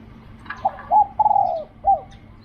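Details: Spotted dove at a decoy site in Thailand: one complete mellow phrase of brief coos, a long purring downward coo and a short closing note, fairly loud and clear.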